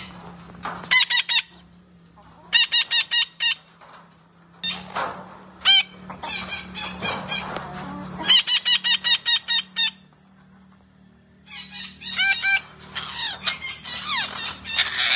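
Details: Green parrot calling in loud runs of rapid, evenly spaced squawks, four to seven notes per run, separated by pauses. Scratchier twittering notes come between runs, and a steady low hum runs underneath.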